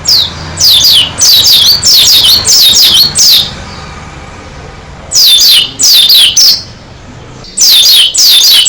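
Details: Oriental white-eye, Dakun type, singing energetically: repeated runs of high, bright, descending chirps in groups, separated by short quiet breaks.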